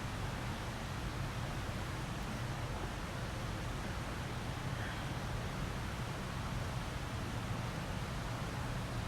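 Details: Constant low hum and hiss throughout, with no animal voice.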